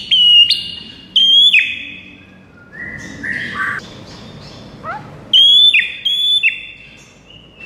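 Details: White-rumped shama song of bright descending whistles at the start and end. A rougher, lower stretch of notes sits in the middle, over a soft background hiss.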